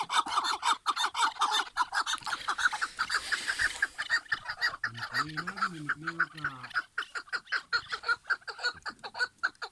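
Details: Chukar partridges give a long series of loud, clipped clucking notes in quick succession, with a short wavering voice-like tone heard in the middle.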